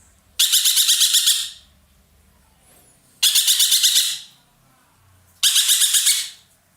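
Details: Roller known locally as ekek keling, a loud Indonesian cage bird used for tutoring other songbirds, giving three grating, pulsed chatters of about a second each, spaced nearly three seconds apart, with a quiet low hum behind.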